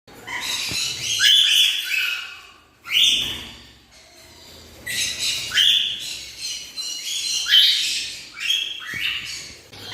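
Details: Black-winged lory, also called blue-cheeked lory, a pet bird kept in Bhubaneswar, Odisha, India, giving harsh, buzzy screeches that sweep upward, several loud bursts over ten seconds with short pauses between, and a low steady hum behind.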